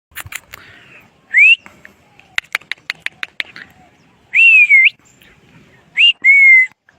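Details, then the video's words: Parrot giving clear whistled notes that rise to a high pitch, with a sliding whistle near four and a half seconds and two more near the end, between dry clicks and taps. "The Voice|| of the ||Parrot"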